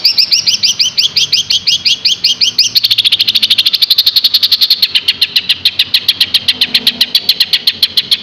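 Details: Green leafbird song in Yogyakarta, a lively, energetic singer: rapid chattering notes, first a run of rising slurred chirps, then a fast, even stream of sharp repeated chips, about two per second and accelerating, bright and high.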